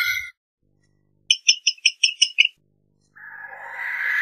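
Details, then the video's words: Barn owl: a quick run of about seven short, high, clicking chirps, then a harsh, rising, hissing screech, with brief silences between the parts. "Barn Owl Song! Barn Owl Call! Barn Owl Sound! - Lechuza Común / De Campanario Canto - Tyto Alba"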